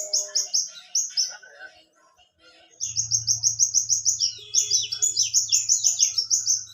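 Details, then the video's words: Hummingbird in the wild giving lively song: quick bursts of high, piercing down-slurred notes, a short pause near the middle, then a longer, faster run of repeated notes over a low steady hum. "Burung Kelibri Gacor di Alam Liar"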